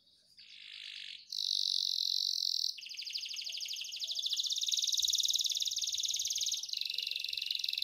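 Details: Canary song with long varied phrases, played to train caged birds to sing: high buzzy trills and rapid rattling runs shifting between pitches, each held for a second or more.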